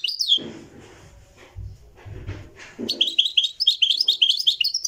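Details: Moroccan goldfinch in a live recording: low muffled sounds and a brief chirp at first, then a lively run of quick, high twittering notes repeated rapidly for two seconds.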